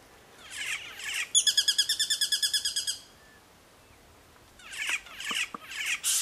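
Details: A sparrowhawk near Manly Dam, Sydney, gives a fast, high, ringing chatter of about seventeen kik notes in under two seconds, with harsh, buzzy bird notes before and after.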